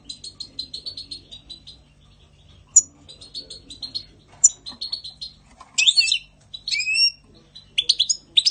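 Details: European goldfinch in spring 2020, giving quiet, rapid high twitters interspersed with louder, sharp liquid flourishes and short upslurred chips, delivered in uneven bursts with brief pauses.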